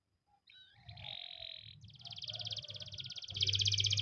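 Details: Russian canary training song: a short wavering phrase, then a long, rapid, high trill of evenly repeated notes that grows louder toward the end, over a steady low hum.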